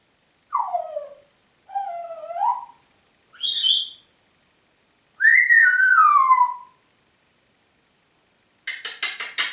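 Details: Congo grey parrot kept as a pet in Diebach near Hammelburg, recorded 4 April 2012, whistling: a falling slur, a rising one, a short high note, a long descending whistle, then a rapid buzzy pulsed burst, in quiet surroundings.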